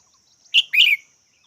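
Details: Red-whiskered bulbul giving a quick two-part call: a sharp bright chirp followed by a slightly longer, warbling second note, both high-pitched, on an otherwise quiet background.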